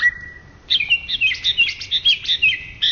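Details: Greater green leafbird, a first-place champion across Indonesia in 2013–2014, opens with a steady high whistled tone, then bursts into rapid, varied chirped and warbled phrases repeated in quick pulses.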